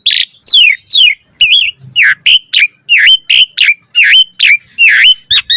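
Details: Asian pied starling (jalak suren) in full song while pumping its body, a lure recording with varied fill-in phrases: loud whistled notes sweeping down from high pitch, then a run of bright, clipped, rising-falling whistles repeated rapidly, no other sounds.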